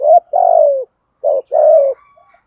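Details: Spotted dove, 'thổ'-style 'thúc gù' coo for stimulating newly caught doves. A long, soft, falling coo after a short note, then another pair with a clipped note and a smooth extended coo. A faint thin tone trails at the end.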